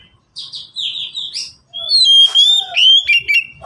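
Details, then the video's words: Oriental magpie-robin in a cage, one of three kept birds calling back and forth, song meant to tutor lazy singers: rich, sweet whistled phrases with quick trills and long sliding notes, loud and continuous after a short gap. "cocok untuk masteran burung Kacer yang malas bunyi"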